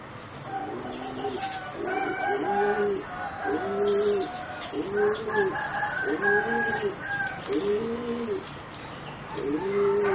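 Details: Young singing zebra doves, about 3.5 to 4 months old, of a line bred for competition singing; one of four birds gives soft, rounded, arching coos repeated roughly every 1.3 seconds in a steady series, with a faint higher hum behind.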